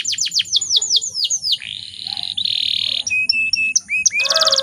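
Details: Canary hen in breeding condition, calling to stir males into singing. Falling chirps give way to a drawn-out buzzing roll, then scattered short notes and a brief dense trill at the end.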